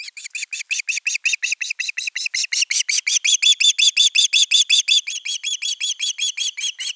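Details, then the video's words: Osprey at nest camera 3 on 10 August 2021, calling at length for fish before a whole fish is brought: a steady, fast series of about 27 sharp whistled chirps with bright overtones, nearly three per second. "Myy huutaa pitkään kalaa"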